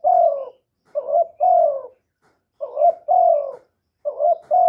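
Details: Spotted dove, a young male, calling loudly: low husky coos, each phrase a quick double note leading into a longer descending coo, three phrases separated by short silences, nothing else audible.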